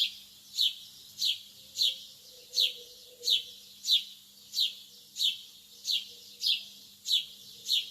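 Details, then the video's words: Lovebirds early in the morning: sharp, high chirps repeated steadily a little under once per second, each a quick downward-sweeping tweet, with a faint low hum underneath. "تغريد طيور الحب في الصباح الباكر"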